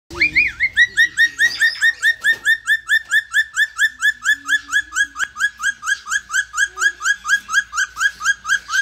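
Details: A male Major Mitchell's cockatoo at a bird shop, displaying and showing his crest near the end, gives a fast series of ringing, upslurred squawks, about two to three each second, with only faint background murmur.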